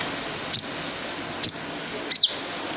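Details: Wild sunbird lure call of the 'jrejet cuit' type: three separate piercing chirps about a second apart, the first two short and flat, the last longer and bending downward.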